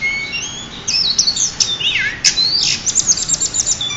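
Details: Champion pied bushchat, used as a song tutor, delivers a thin whistle, then a lively tumble of zigzag slurred notes ending in a fast, even series of sharp high ticks.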